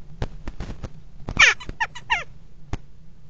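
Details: Common kestrels mating on the rim of a nest box in a water tower, 5 February 2018; a rapid run of loud, harsh, downward-sliding calls, bracketed by sharp knocks and scratching.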